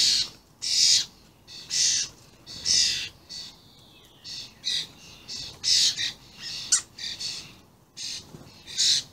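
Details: Very vocal juvenile and adult common starlings recorded on 28 May 2016 give rasping, noisy screeches in irregular bursts, roughly one per second, with a faint sliding whistle between them.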